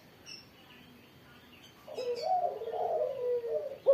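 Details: Spotted dove in Indonesia singing actively after being sunned in the morning. After a quiet start, a long, low, wavering coo runs for about two seconds, then a fresh coo begins at the end. Faint bird chirps sound behind it.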